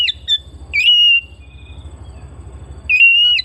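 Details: Home-kept Oriental magpie-robin giving long, clear whistled notes that hook up then hold steady, three phrases in under four seconds, over a constant low rumble.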